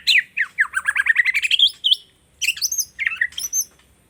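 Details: Caged white-rumped shama learning to sing: a rapid run of chattering, rising notes climbing in pitch for nearly two seconds, then a pause and bursts of high whistled and squeaky phrases; quiet indoor room.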